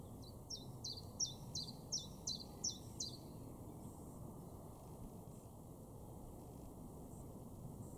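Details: Garden Common Chiffchaff in Weener, East Frisia, northwestern Germany, recorded May 2022, giving about seven sharp, high falling notes in quick regular succession over three seconds, then a quiet stretch with steady low background noise.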